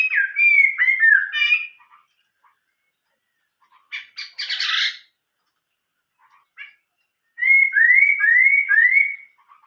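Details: Chinese hwamei singing in an old-forest style: loud whistled phrases sliding and rising, repeated in quick bursts, broken by a harsher buzzy rattling passage and short pauses; no other sounds.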